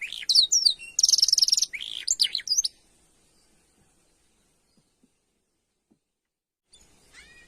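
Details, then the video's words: Canary, kenari isian style master song with long nembak panjang trills: high whistled slurs, rapid buzzy rattles and falling notes packed into under three seconds, then near silence with a faint return of chirps at the end. "Masteran Burung kenari isian |Suwara gacor nembak panjang"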